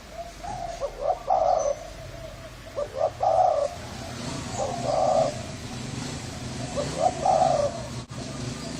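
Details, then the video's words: Thai spotted dove with a hoarse voice, cooing to lure males and females: four phrases, each of clipped rising notes followed by a husky drawn coo, roughly every two seconds, over a low rumbling background. "Tiếng chim cu gáy thái giọng khàn gáy gù kích trống mái kích bổi"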